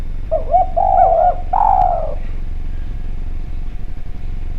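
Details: Lively spotted dove lure call: a fast series of short looping coos ending in a longer, falling coo, then quiet with only low background rumble.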